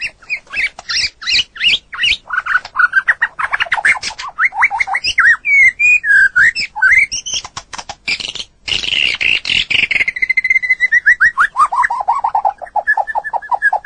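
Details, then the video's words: Long, energetic song of a white-rumped shama in a recording made to train other birds: rapid repeated chips, fluty swooping whistles, a harsh grating burst, then long quick trills that slowly drop in pitch. "Masteran burung murai batu durasi panjang burung gacor owor owor"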